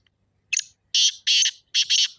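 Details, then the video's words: Black francolin call for activating a kept partridge: a quick scratchy lead note followed by three loud, harsh, grating notes, the final one split into two. "تیتر کی مستی بھری آواز"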